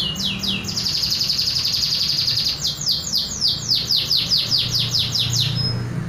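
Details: Unadorned original song of a local canary: swooping notes, a sustained rapid trill, then a sequence of repeated upslurred notes ending in a short high whistle.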